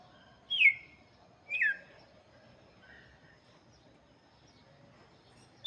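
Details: Red-cowled cardinal song aimed at chicks: two loud, falling whistles in quick succession, then a softer, lower note, followed by a pause and a final sharp onset.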